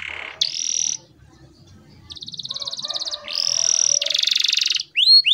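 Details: Canary singing energetically, long rolls and pauses, serving as a training recording for young birds learning to sing; sustained high whistles alternate with rapid rattling trills, closing on two quick upswept chirps.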